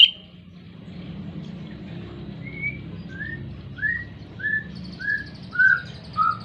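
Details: Oriental magpie-robin in breeding condition, its song used to get silent birds singing: a steady series of short, clear, down-slurred whistles roughly every half second, over a constant low background hum.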